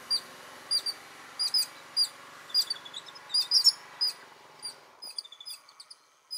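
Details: Yellow-billed Babblers in a morning commotion at Anantapur district, Andhra Pradesh, India, alarm-calling while mobbing a python, joined by robins, prinias and sparrows; sharp, high chirping notes in quick repeated bursts about every half second, thinning toward the end.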